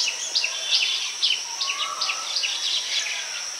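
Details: Nest-building baya weavers calling to attract females, rural Bengal palm trees: rapid series of bright, high, falling chips, roughly three a second, with a faint low whistle briefly in the middle and a steady hiss.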